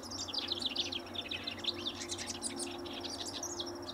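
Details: House wren singing incessantly near a riparian area at Linscomb W.A.: rapid, bubbly, jumbled high chattering notes pouring out continuously, with a White-eyed Vireo vocalizing in the background and a steady low hum.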